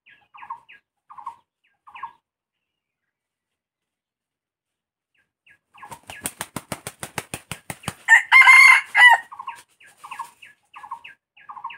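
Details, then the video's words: Junglefowl with soft pulsed clucking notes near the start, then a burst of rapid wing-beats building into a loud, harsh, broadband crow lasting about a second, followed by more short clucks. "Ayam hutan"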